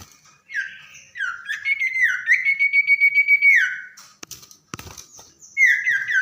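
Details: Common iora, tame and singing persistently at night, gives slurred falling whistles, then a long pulsing whistled note with rapid beats, ending in a downward slide; sharp clicks follow before a final falling note.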